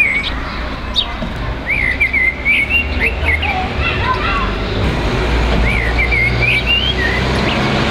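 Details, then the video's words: A common blackbird in a tree beside a house sings short, fluting warbled phrases with squeaky twists, over other chirping birds, low traffic rumble and faint voices. "שיח שחרור"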